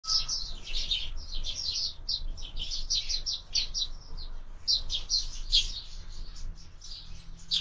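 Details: Sparrows feeding at a window-mounted feeder, giving dense overlapping chirps and short high twitters almost without pause, with a steady low background rumble.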